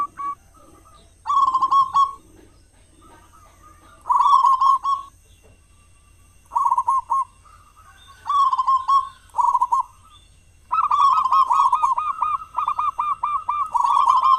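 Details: Local zebra dove in full song with a big voice, used as a lure to get other doves singing, morning and evening; bursts of rapid, rolling coos repeated in phrases, with softer single coos from another dove between them.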